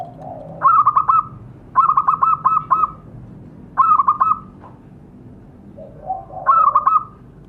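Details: Zebra dove calls used as a lure to prompt captive birds to call: four bursts of rapid, staccato, fluty notes, each burst roughly a second long, separated by short pauses, with softer low cooing between bursts.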